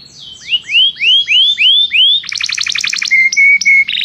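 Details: Canary calling its friend to sing, recorded for song training: clear rising whistled swoops repeated about twice a second, then a buzzy rattling roll and short flat whistled notes at steady intervals.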